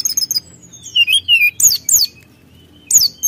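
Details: Brown-chested jungle flycatcher singing vigorously to provoke rivals: quick high chips, then a descending series of clear whistled slurs, a thin sustained note, and loud downward-swept whistles.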